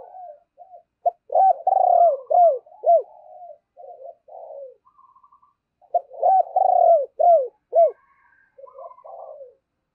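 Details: Spotted dove decoy calling wild birds, with two similar cooing phrases about five seconds apart, each a quick series of loud arched coos trailing into softer murmurs.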